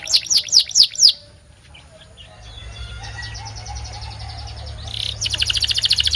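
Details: White canary gives a short burst of five loud, sharp chirps, falls quiet, then resumes with a fast, thin, high trill.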